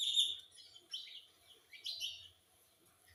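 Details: Pet ringneck parrot calling indoors: a few short, high chirps and squeaky notes spaced about a second apart, with faint room noise between them.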